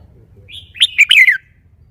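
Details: Red-whiskered bulbul kept in a cage delivers a soft lead-in note, then a bright, quick phrase of warbled whistles that dips and trails downward at the close; faint low rumble beneath.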